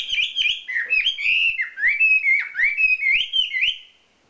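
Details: Prize-winning wambi songbird giving a continuous run of clear whistled, slurred notes, rising and falling between phrases, packed closely for about four seconds before fading out, with faint clicks underneath.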